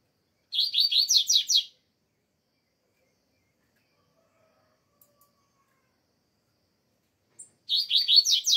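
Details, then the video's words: Double-collared seedeater in Brazil during still-cold weather gives two bursts of fast, high, buzzy twittering, each over a second long and about six seconds apart, with silence between. "COLEIRO ALEGRIA"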